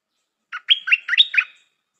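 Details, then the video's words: Decoy stripe-throated bulbul delivering one rapid, gurgling phrase of five rich notes, a sustained whistle threaded through chattering slurred syllables, clean against silence. "เสียงนกดอกแตงEp.135 จ้าวขันทอง นกต่อใหม่เปิดดอกน่าฟัง สำนวนดี Suara pikat merbah lekir"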